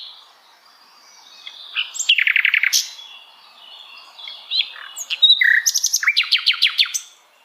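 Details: Song of the Sikatan Londo flycatcher in various situations: scratchy high chirps and a fast buzzy rattle, a short pause, then lively twittering ending in a rapid series of sharp repeated notes.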